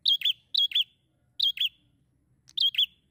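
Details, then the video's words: Bar-winged prinia in fairly active song: four loud paired chirps, each a high bright note followed by a slightly lower one, spaced irregularly with short pauses, over a faint low background hum. "PRENJAK SEMI GACOR MEMPESONA"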